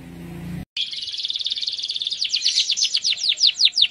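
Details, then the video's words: Male canary singing strongly: a long, fast buzzy high trill that gradually swells into louder, repeated downward-swept whistled notes, after a brief low rumble at the start. "kicau kenari jantan gacor"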